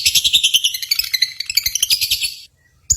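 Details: Lovebirds heard at a singing competition give a continuous shrill twittering with quick warbled notes, ending in a brief silence and a final sharp chirp.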